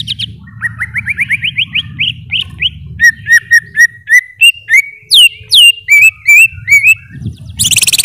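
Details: Greater green leafbird opens with a rising sequence of short, quickening whistles, then delivers loud looping and swooping whistled notes; low background rumble and a harsh, noisy burst at the close.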